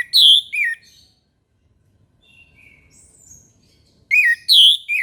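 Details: In the morning an Orange-headed thrush repeats its whistled three-note phrase, bright high middle note between two lower slurred ones; between the phrases come brief soft high chips and quiet background murmur.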